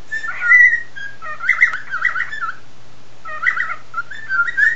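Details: Pet male cockatiel singing while its owner tries to sing along; warbling, harmonic-rich whistled phrases in two bursts separated by a short pause, with a low steady hum underneath.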